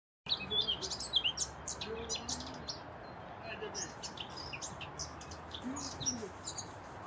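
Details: Eurasian blackcap (Sylvia atricapilla) singing in IOR park on 8 April 2021: quick high chirps and warbled phrases throughout, with other birds chirping nearby over a low hum and faint voices.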